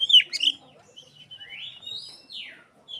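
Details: Oriental magpie-robin mimicking Asian pied starling, played as a lure: a loud, sharp chattering burst, then long smooth whistles that slide upward and drop away.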